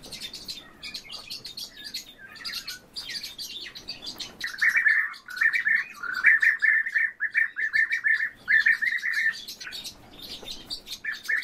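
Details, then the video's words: Two orioles held in captivity sing together. Scattered high chirps open the passage, then a fast, even chattering series of mid-pitched notes runs for several seconds with short breaks. "ИВОЛГИ ДУЭТ Oriolus"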